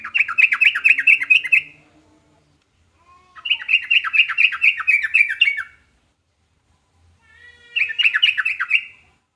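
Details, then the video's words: Sooty-headed bulbul (trucukan) giving three lively phrases of rapid, bubbling notes, each about two seconds long, separated by short silences, clear and dominant. "burung trucukan manapun langsung nyaut dibuatnya"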